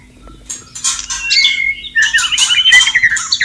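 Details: White-rumped shama in the wild near running water: harsh scratchy bursts give way to a fast rippling trill of bright whistled notes that falls in pitch.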